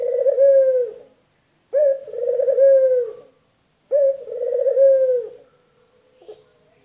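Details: Male puter dove, either the local variety or the white variety, kept as a pet bird: three low, hoarse coos about a second long each, with a slightly pulsing texture, repeated every two seconds, in a quiet room.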